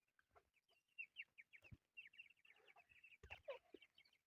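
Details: Chukar partridge chicks making quick high cheeping notes, a few slurred downward, with occasional sharp clicks and handling noise.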